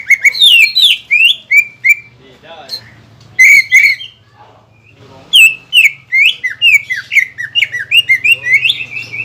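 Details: Greater green leafbird singing to provoke a rival leafbird after moulting: bursts of loud, fast, bending whistles and sharp high chips separated by quiet gaps, over a faint low hum.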